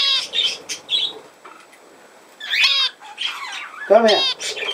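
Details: Budgerigar chatter recorded 17 November 2024: bursts of bright squeaky chirps, then a pause and harmonic calls that sweep down, with scattered short tweets between quiet gaps.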